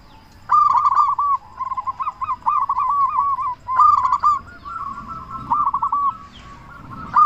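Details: Local zebra dove in frequent, loud song meant to make other doves answer: repeated phrases of rapid arched cooing notes, each opened by a strong accented burst, with brief gaps between phrases.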